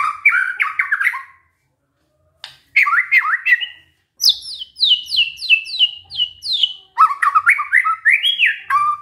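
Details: Captive white-rumped shama pouring out canary-like song, alternating warbled whistles with a cascade of high descending notes, almost continuous over nine seconds.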